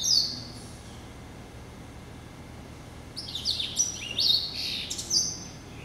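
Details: Caged hybrid finch, a cross of yellow-eyed canary and timbrado, hatched in November 2012, singing: a brief high note at the start, silence, then a run of high trilled and swept phrases in the last three seconds.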